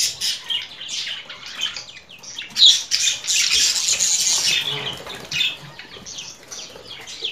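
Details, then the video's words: Budgerigar warbling in a continuous scratchy, high-pitched chatter of rapid chirps and squawks with no clear pauses. "Muhabbet Kuşu Sesi"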